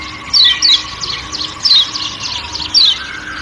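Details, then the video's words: Kecial kuning from Lombok calling 'ciak ciak' among forest sounds: clear, high, descending chirps given in quick pairs and singles, over a constant hiss of forest insects. "Kecial Kuning Ciak Ciak Dan Suara Hutan"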